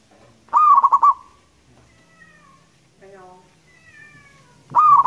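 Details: Zebra dove of local stock, singing with a loud, long voice: a sharp rising note runs into a rapid stuttering trill of four or five pulses, then holds a steady tone. It repeats after a quiet gap with faint harmonic bird calls.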